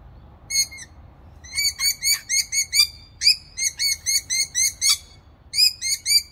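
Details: Rainbow lorikeet calling while having breakfast: bright, ringing chirps repeated in quick runs of about three per second, with brief pauses between groups, over a quiet background.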